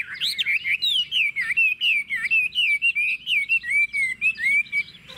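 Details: Chinese hwamei, a kept bird singing a 'ngũ trường' style song with a forest-type voice: continuous loud, liquid whistled phrases that rise and fall, strung closely together and easing to a lower pitch toward the end.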